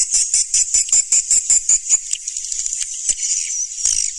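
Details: Swiftlet calls used as a lure: quick buzzy high chirps repeated about two to three times a second, steady at first, then blurring into a softer continuous twitter.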